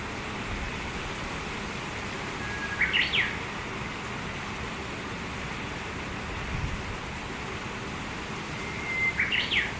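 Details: Japanese bush warbler in satoyama countryside, two birds seemingly calling to each other: a soft low held note rising into a short flourished whistle, given twice about six seconds apart over steady rushing background noise.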